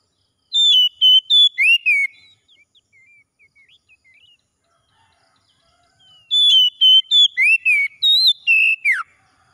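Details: Two bursts of morning song from an Oriental magpie-robin: each is a fast run of pure whistles ending in a falling note. Soft quiet twittering fills the gap of several seconds between them.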